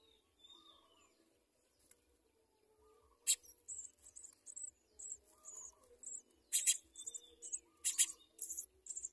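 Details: Baby house sparrows at the nest begging for food, starting quietly then breaking into a loud, insistent stream of shrill, high chirps and buzzy squeaks that grows more rapid toward the end.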